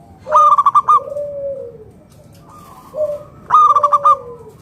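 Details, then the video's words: Local zebra dove singing to prompt other doves to answer: two bursts of quick, clipped coos, each followed by a lower drawn-out falling coo, with a softer dove phrase in between. "PERKUTUT LOKAL GACOR SUARA PALING AMPUH UNTUK PANCINGAN BURUNG PERKUTUT AGAR NYAUT BUNYI GACOR"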